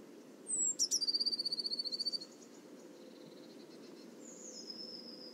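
Eurasian blue tit: one or two very high thin notes run into a fast, silvery trill of about a dozen notes. Faint high whistles follow over a low background hum.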